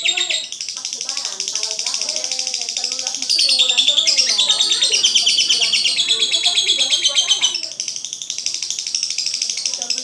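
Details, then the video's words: Lovebird in full song: a dense, rapid, high-pitched chatter of buzzy, scratchy notes at about two per second, growing louder midway and holding a steady, busy stream to the end. "aksi suara burung Lovebird"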